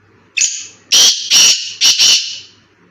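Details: Black francolin (kala teetar) held without a cage, in a training setting. Loud, harsh, grating notes: a single note, then two paired bursts, each pair a quick double, sounding close and dominant over a quiet background.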